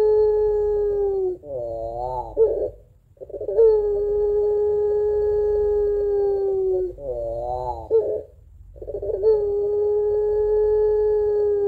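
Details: A singing pelung Barbary dove gives a long crying two-note coo used to lure other doves: sustained, even moaning tones of several seconds, each broken by a short quavering, warbled burst, in a quiet setting.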